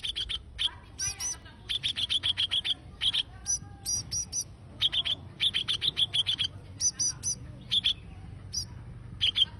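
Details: Konin bird in full, energetic song: rapid trains of bright, high chirps repeated in tight clusters of three to six notes, separated by brief pauses, steady and insistent throughout, with faint low rumble beneath.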